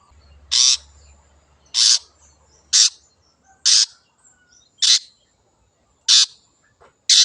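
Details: Long-tailed shrike, a wild bird, in a lure recording: loud, harsh, scratchy single notes repeated about once a second, with a faint low hum early on.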